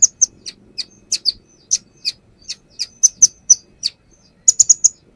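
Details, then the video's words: Perched brown-throated sunbird delivering its learned phrases for a lure recording: crisp, high chirps spaced irregularly, closing with a quick burst of four notes, with a faint low hum beneath. "AKSI KONIN NAGEN BONGKAR ISIAN | Pancingan konin"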